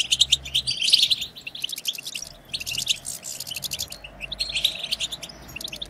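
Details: Goldfinches in group batbata, a twittering meant to rouse silent goldfinches to sing. Fast, high, tinkling chatter runs in clustered bursts with short pauses between, and faint low hum beneath.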